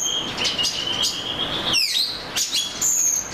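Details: Oriental magpie-robin singing a steady high whistle broken by a sweeping downslurred phrase and sharp high notes, musical and varied.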